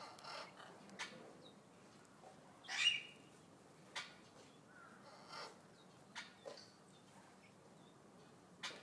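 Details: Vulturine guineafowl kept at Yumemigasaki Zoo in Kawasaki, Japan: one loud, harsh, broadband squawk midway, surrounded by short sharp clicking and scratchy notes scattered across the recording at irregular intervals.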